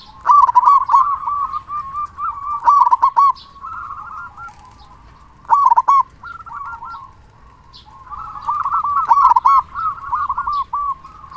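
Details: Local zebra dove known as a frequent, loud singer, used to provoke other doves to call. Powerful rolling coo phrases recur roughly every three seconds, separated by quieter runs of fast, repeated hooked notes.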